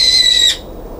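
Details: On a balcony, a brown-eared bulbul gives one loud, shrill, steady scream about half a second long that stops abruptly after being shut out of the feeding station (9 February 2022); only faint background hiss.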